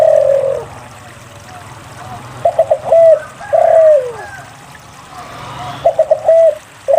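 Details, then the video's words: Spotted dove in full song, played as a lure to coax quiet doves into singing: the tail of a long coo, then two phrases of quick clipped notes leading into a drawn-out, falling coo, separated by quiet pauses. "SUARA PANCINGAN DERKUKU GACOR UNTUK MALAS BUNYI"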